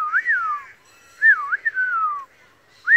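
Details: Australian pied butcherbird, a wild bird, gives clear flute-like whistles. Each note bends up and then glides down, with a wavering twisting phrase in the middle, in a quiet setting.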